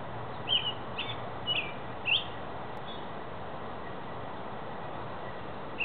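A robin gives brief, high, sharp twittering notes, a handful spread irregularly over a few seconds, against a steady hiss of background noise.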